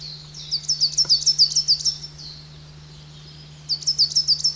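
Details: At a garden bird pond in the Veluwe, a coal tit gives a rapid run of high, thin, clipped notes lasting about a second and a half. A second run starts near the end, over a constant low hum.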